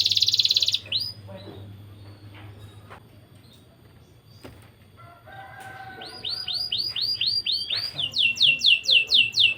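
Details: Canary heard while singing to stir young canaries. After a brief loud buzz and a quiet stretch with faint clicks, crisp down-slurred whistled notes begin, then form a quick rhythmic series.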